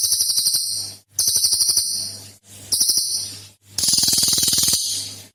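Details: Cililin singing as a lure recording meant to prompt other birds to sing, said to carry three rare song types: loud bursts of rapid high buzzy, chattering notes repeated about four times a second, separated by short pauses.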